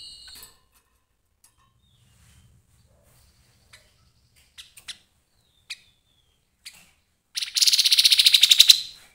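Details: Scattered faint ticks and clicks, then an abrupt loud outburst of harsh, rapidly pulsed chattering from a Grey-headed babbler.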